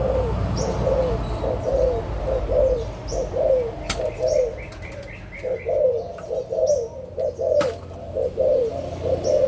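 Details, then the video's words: Several overlapping coos from adult Spotted Doves from Malaysia and Thailand, 16 March 2022: soft bowed notes in rapid, rolling phrases, with sharp clicks, wing sounds and high chirps from small birds. "cu gáy trưởng thành malaysia và thailand"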